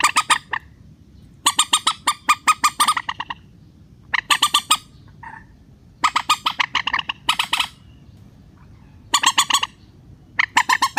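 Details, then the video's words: Lure call of a rail, played to bring wary birds down for netting: loud, harsh, nasal squawks repeated rapidly in runs of about a second, with clear pauses between runs and a faint low rumble underneath. "PIKAT BURUNG MANDAR SUARA SANTAI"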